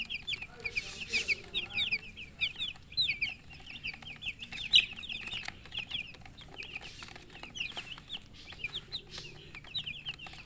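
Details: Many colourful baby chickens (murgi chicks) kept as poultry, peeping from thirst for drinking water; a dense chorus of short, high, downslurred cheeps overlapping continuously, with light clicks and scratching behind.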